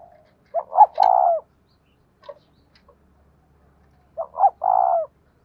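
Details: Spotted dove singing 'giọng đồng thổ' style coos, a voice suited to cage birds. Two loud phrases about three and a half seconds apart, each two short notes and a long steady coo. A few clicks and soft notes between.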